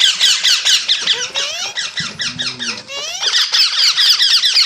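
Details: Parrot chattering steadily with busy high squeaks and several rising whistled slides; a low buzzing tone sounds briefly underneath midway.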